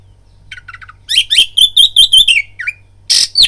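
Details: Oriental magpie-robin song meant to provoke fighting: soft stuttered chips build into a fast series of bright, slurred whistles, ending in a harsh rasping burst, with low electrical hum behind.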